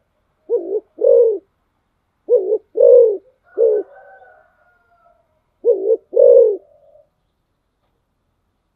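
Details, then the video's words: Spotted dove kept as a decoy bird, giving three low two-part coos, each a short hollow note followed by a longer slurred one, with faint higher whistles drifting between phrases. "tiếng chim cu gáy mồi"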